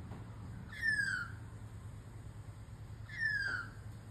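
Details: A lost baby magpie calling to birds at a distance gives two clear, plaintive downward-sliding whistles, each about half a second long and two seconds apart, over a low background rumble.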